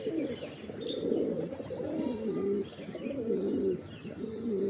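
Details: Pigeons cooing steadily: low, rolling, throaty coos that swell and fade in overlapping phrases, with a soft bubbling quality and no clear pauses between them.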